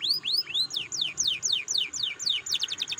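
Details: Canary song used as a lure to stimulate other canaries to sing: high arched whistled notes, then descending slurred notes repeated about four per second, ending in a fast tight trill.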